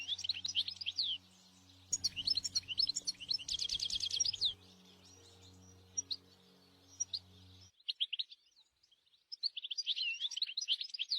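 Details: Wild European goldfinch in nature singing a fast run of bright twittering notes, trills and buzzy rattles high in pitch, with a steady low hum or music-like drone underneath for the first seven seconds, then clear song resumes after a pause.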